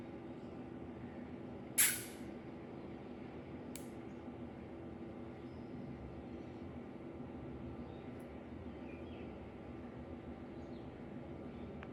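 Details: Steady background hiss with a sharp spray-like burst near the start and a fainter click later, no animal calls.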